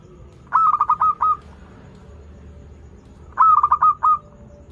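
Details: Local zebra dove singing prolifically, its sweet voice used as a lure for doves learning to sing: two mellow, trilled cooing phrases of four or five quick beats each, roughly three seconds apart, over a quiet low background hum.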